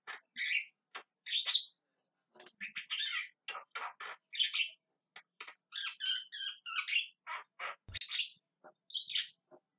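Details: Javan myna calling persistently: a dense, irregular string of rasping squawks, wheezy chirps and a few slurred whistle-like notes over ten seconds, with one sharp click near the end.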